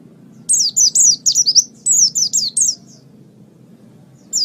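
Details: Oriental white-eye song used as a master recording for training birds: a burst of about ten high, thin, downslurred whistled notes in quick succession, a pause, then one more note starting at the end.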